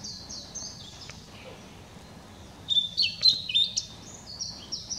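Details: A Blue-and-white flycatcher, recorded on 2016-05-07, sings high, clear whistled notes in a quick run of sliding phrases over faint background hiss.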